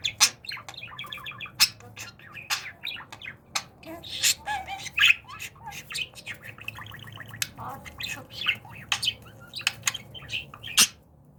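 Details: Pet budgerigar during talking training, said to be unable to resist when it sees feet; quick bursts of sharp clicks, squawks and short buzzy, harmonic warbles, tumbling on irregularly throughout with brief pauses.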